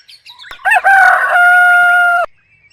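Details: One long rooster crow dominates: a rough opening syllable breaks into a loud, steady, ringing drawn-out note held for over a second before stopping abruptly, with a few faint chirps at the edges.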